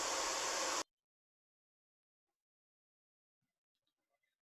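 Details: A brief burst of loud hissing noise cuts off abruptly into near silence, with only a few faint soft ticks toward the end.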